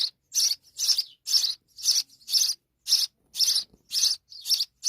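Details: Little house sparrow with her babies: a steady run of loud, sharp, high chirps, about two every second, each a short burst of equal strength.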